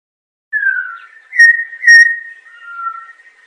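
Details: Song of the Campo troupial (Icterus jamacaii): a low falling whistle, then two louder ringing notes held steady, trailing off into a soft, lower drawn-out whistle.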